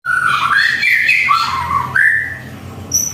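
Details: White-rumped shama singing at home in the morning: clear whistled phrases that glide and step between low and mid pitch, with a brief high note near the end over quiet background hum.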